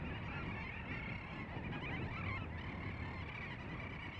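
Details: Many little auks fly around a steep rocky seabird hillside in Svalbard, giving a dense, continuous chorus of chattering, slightly nasal overlapping calls over a low rumble of wind.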